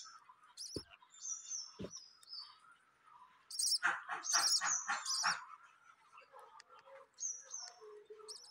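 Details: Pet budgerigars kept at home, where new chicks have just hatched: short buzzy high chirps, then a loud burst of rapid harsh notes around the middle, followed by scattered softer warbles and squeaks.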